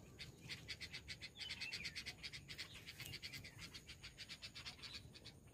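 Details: A mother red-vented bulbul scolds in harsh, sharp chirps, about five a second, with a few higher tonal notes. She is agitated by a person approaching her nest, where chicks are begging for food; a soft low rumble is in the background.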